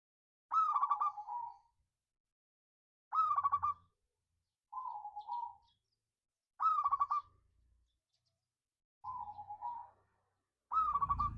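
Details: Repeated lure song from a local zebra dove, sung in the ngayer kerot nutut style to excite rival singers: six stuttering phrases of pulsed coos, some ending in a lower rolling note, with faint low thumps in between.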